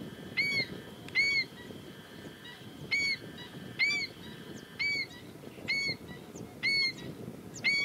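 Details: Female black-winged stilt calling insistently, short nasal barking notes roughly every second with uneven gaps, over a continuous faint high-pitched drone and low background noise.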